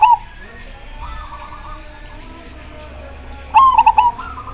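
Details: Zebra dove of the Majapahit line, whose singing draws replies from other doves: brief coo at the outset, faint rippling notes, then a loud stuttering clicked coo followed by a rolling trill.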